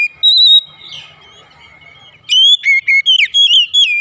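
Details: Morning song of an oriental magpie-robin. A long, wavering whistle fades into a quieter passage, then a burst of varied, sharply inflected whistled phrases follows in quick succession.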